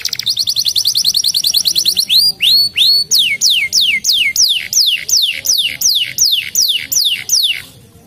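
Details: Canary opens with a rapid trill, adds a few arched whistles, then delivers a long run of clear notes that each drop steeply in pitch, evenly spaced until the song fades.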